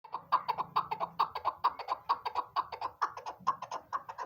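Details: A female chukar partridge gives a fast series of harsh, clucking notes, about two each second, steady in pitch, over a faint low hum.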